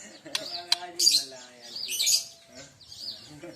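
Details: Aceh-type white-rumped shama singing its first 'nyorong' phrase: two sharp clicks, then loud harsh high bursts about a second apart, mixed with thin whistles. Low voice-like tones run underneath.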